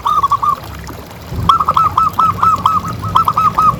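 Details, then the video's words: Zebra dove calls used to prompt other doves to call: rapid series of short bubbling cooing notes, repeated in quick runs, over a low rumbling background. "Suara Paling Ampuh Untuk Pancingan Burung Perkutut Agar Bunyi Terus"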